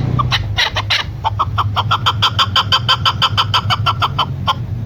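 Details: Hoarse clucks from a female chukar partridge speed up into a brisk, even series of about three notes per second, then trail off, over a steady low hum.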